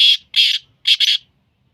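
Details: Black francolin of the Sindhi type, one of a mix of its calls: four harsh, grating notes, loud and broadband, in two pairs, the last two run together, against a quiet background.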